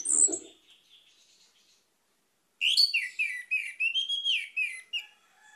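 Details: An orange-headed thrush (anis merah) opens with a brief whistle and soft chatter, then after a pause delivers a long, loud, varied phrase of rich whistles and fast trills.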